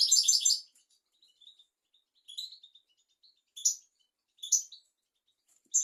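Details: European goldfinch singing as a teaching recording for young goldfinches and canaries: an opening fast twittered phrase, then separate sharp high notes and small clusters every second or so.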